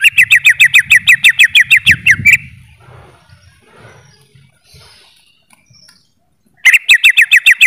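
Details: Greater green leafbird pouring out a fast stuttering trill of short repeated notes for two seconds, pausing through several seconds of near silence with faint rustling, then resuming the same rapid trill.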